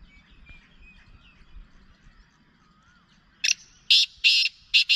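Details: Quiet twittering and a few thin whistles from small birds, then a black francolin breaks in with loud, harsh, grating notes repeated in a rapid, rhythmic series.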